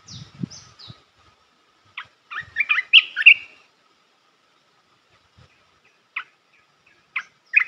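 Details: A Red-whiskered bulbul sings a song for training young birds: brief high notes, a busy warbled phrase of rich whistles, then spaced single chips. Low thuds are heard near the start.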